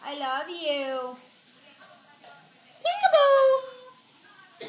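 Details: Eclectus parrot indoors talking in a high, nasal voice, saying short mimicked phrases in two clear bursts separated by a quiet pause, in a small room.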